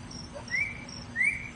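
Northern cardinal giving two clear, slightly rising whistled notes about seven-tenths of a second apart, over a steady faint high hiss.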